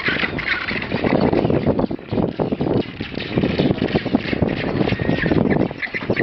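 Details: Magellanic penguins at a colony on Isla Pingüino, Puerto Deseado, Santa Cruz, recorded 18 January 2013: a dense, continuous chorus of harsh, overlapping braying and squawking calls with no clear pauses.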